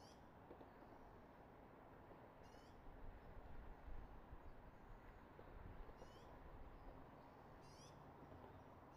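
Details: At 06:34 on 24 March 2022, an eagle at its Redding nest gives faint high chirping bursts of quick stacked notes, four groups, over steady rushing noise with some low thumps from the nest camera.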